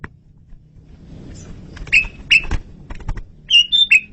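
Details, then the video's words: Asian pied starling song recording, described as clear and loud, suited for luring birds: scattered short, bright whistled notes, several in quick succession near the end, over a low rumbling background. "SUARA JALAK SUREN RAJANYA MP3"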